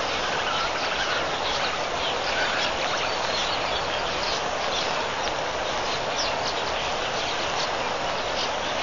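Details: Huge wild flock of red-billed quelea swirling over a waterhole in Mashatu Game Reserve, Botswana, 31 October 2015: a continuous roaring, hissing chatter of countless overlapping chirps, steady and loud throughout.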